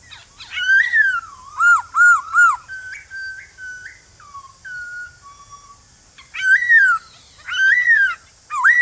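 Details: Male white-cheeked laughingthrush singing its forest-style song in the morning to provoke newly caught birds into answering. Loud arched whistles alternate with a run of softer level and falling whistled notes, then more ringing arched phrases; a steady high hiss runs throughout.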